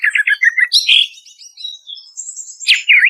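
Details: Lure recording of greater green leafbird song meant to prompt stressed birds to sing: a fast stutter of chirps, then a clear drawn-out whistle, then a sharp high burst and a lower twittered phrase.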